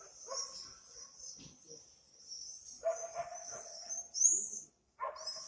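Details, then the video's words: Swifts giving continuous shrill, high screaming trills that rise and fall in long bursts, with louder peaks near the end, over lower harsh, throaty sounds and a brief gap of silence. "Пение стрижей. Спів стрижів. Singing swifts"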